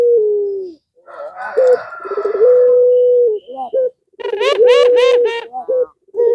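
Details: A pelung-type puter dove calling to provoke rival doves into answering, with low, steady hooting coos, some long and level, mixed with rougher harmonic rolling notes and short breaks.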